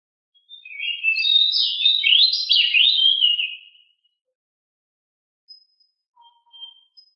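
A Pied Bushchat gives one loud, rapid rolling warble of high, twittering notes lasting about three seconds, followed by near silence with a few faint distant chirps.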